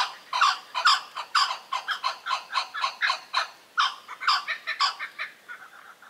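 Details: Blue-winged kookaburras in the woodlands of Kakadu and Arnhem Land, Australia, giving maniacal cackles. Around eighteen grating notes tumble out in an uneven series, briefly pausing midway, then thinning and fading toward the end.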